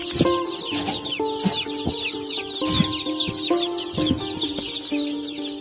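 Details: A crowd of day-old Kuroiler chicks, being unloaded at a farm, peep in high, thin chirps over steady background music.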